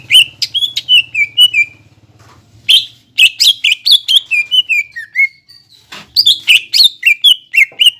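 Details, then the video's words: Caged greater green leafbird singing, used to rouse lazy or silent birds: bursts of quick bright whistles separated by short pauses, notes sliding down in pitch, over a faint low hum. "PANCINGAN CUCAK IJO GACOR BUAT CUCAK IJO MACET BUNYI,MALAS BUNYI"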